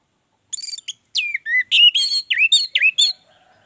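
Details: An orange-headed thrush sings a rich phrase of swooping, slurred whistles mixed with buzzy notes, rising and falling in quick succession, recorded as a lure for singing.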